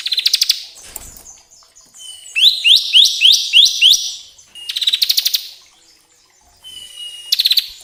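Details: Bar-winged prinia lure for stimulating caged birds: rapid buzzy trills alternating with a run of loud, high, down-slurred notes and thin whistles.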